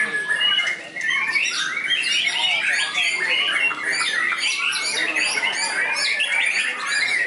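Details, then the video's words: A trained white-rumped shama tested on a contest field keeps up a high, crowded song rich in mimicry. Rapid chirps, harsh squeaks and whistled notes tumble together without a break. "Murai Batu WARDANA Prospek Lapangan, Isian Mewah Super Istimewa"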